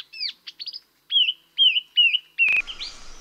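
Chestnut-eared laughingthrush giving high, clear slurred whistles in a quick run of four or five similar phrases, ending in a sharp click and faint hiss.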